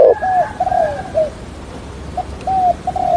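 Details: Spotted dove decoy bird giving its call followed by stuttering coos: soft, low hooting coos in a broken series of drawn-out notes, with a quiet gap midway.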